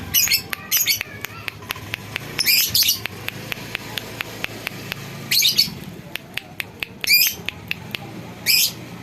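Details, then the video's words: Lovebird being tested for its voice, giving bursts of shrill, high chattering trills at intervals, with many sharp clicking ticks repeated in between and a low background hum. "Menguji Suara Lovebird Bandangan"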